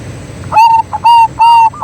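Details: Vocal local zebra dove (perkutut) used as a lure to prompt other doves to sing: three loud, steady-pitched, slightly ringing coos separated by short gaps, with faint softer notes between.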